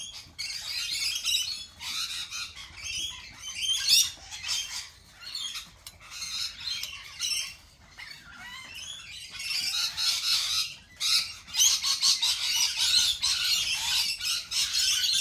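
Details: Many lorikeets screeching together in a dense, overlapping chorus of harsh, high squawks and chatter that swells and fades in waves, with a brief lull around the middle.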